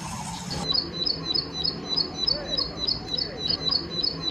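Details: Wild plain prinia in natural surroundings, singing lively: a steady run of sharp, high, clipped notes repeated roughly three times a second, fairly even in pitch, over a low murmuring background.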